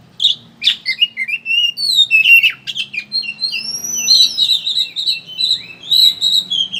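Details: Oriental magpie-robin in kacer ngeriwik style, a chattering lure for prompting birds to sing with open beaks: rapid buzzy chatter at first, turning into long smooth whistles and warbled high phrases.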